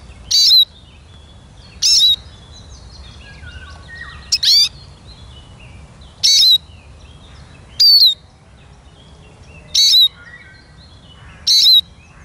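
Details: Repeated loud chirps from a Eurasian siskin, seven strident notes with falling whistled tails at irregular gaps of one to two seconds, faint twittering between, steady low ambient hum.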